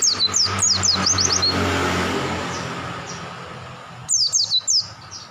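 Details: Wild-caught oriental white-eye pouring out quick, high descending whistles, then a quiet gap of passing car noise, then another phrase of four sharp notes.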